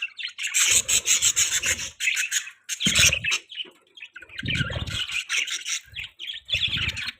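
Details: Budgies chirping as they eat. Dense, continuous high chattering and chirps come with bursts of lower rustling or pecking noise underneath.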